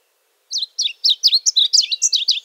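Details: Varied bunting song: a quick, sweet jumble of high whistled and slurred notes, roughly ten phrases delivered in under two seconds, starting after a brief silence and running on without pause.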